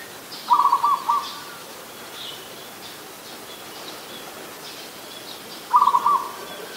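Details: Two rapid stuttering coo phrases from an adult zebra dove, about five seconds apart, recorded in Ubon Ratchathani, Thailand, on 24 December 2020; faint chirps of other birds between them.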